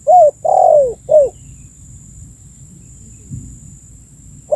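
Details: Spotted dove used as a lure call for attracting birds. One three-note cooing phrase with a long descending middle coo, then quiet with low rumble, and the start of the next phrase at the end.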